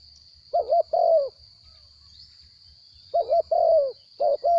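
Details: Spotted dove, a captive wild-caught bird with a small voice, cooing. Two coo phrases sit about two and a half seconds apart, each a doubled short note then a drawn-out descending coo. A constant high whine is in the background.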